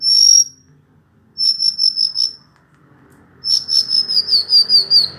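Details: Song of a Hill blue flycatcher: a bright high whistle, then short buzzy trilled phrases of rapid repeated notes that drift slightly downward, with a soft murmur of background noise.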